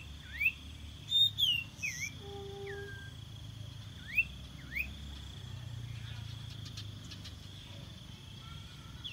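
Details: Common iora song used as a decoy to lure birds: short upward-swooping whistles and a quick twittering flourish early on, a few lower held tonal notes, then spaced single rising notes, over a constant thin high tone.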